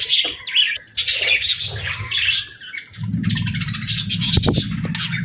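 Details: Budgerigar flock chirping in bursts of warbled chatter with brief lulls, over a steady low rumble in the background.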